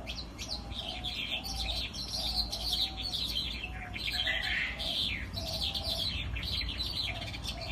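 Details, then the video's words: Sandgrouse calling as a group: busy, overlapping high chirps and twittering notes that come in bursts throughout, over a steady low rumble with faint, repeated, soft lower tones. "طائر القطا الكدري"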